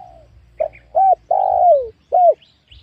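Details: Wild spotted dove lured on freshly opened young oil palm land, giving a soft clipped coo, a long mellow note gliding downward, then another short hollow coo.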